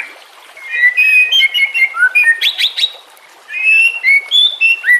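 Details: White-rumped shama singing over trickling water and nature ambience, meant for training captive shamas: clear whistled notes and short slurs in bursts, a brief pause, then more varied rising whistles against a constant watery hiss.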